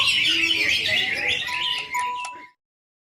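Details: Greater green leafbird in a simulated singing contest pours out rapid, high twittering chatter for about two and a half seconds over a steady whistled tone and faint voices, then the sound cuts to silence.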